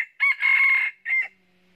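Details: Red junglefowl crowing during trapping in northern Vietnam, where a red-eared decoy rooster meets a wild rival crowing in the 'cà lắm' voice style: a short opening burst, a long sustained harsh middle note, then a brief clipped final note.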